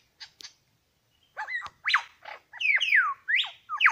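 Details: Two male Superb Lyrebirds at Lookout Point, New England National Park: a few faint clicks, then loud varied phrases of sweeping downslurred whistles and harsh notes, closely spaced.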